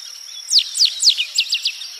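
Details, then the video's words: Rusty Sparrow (Aimophila rufescens) song: about seven thin, high, down-slurred notes, the later ones shorter and quicker, over a steady high insect whine. "O canto do Tico Tico avermelhado"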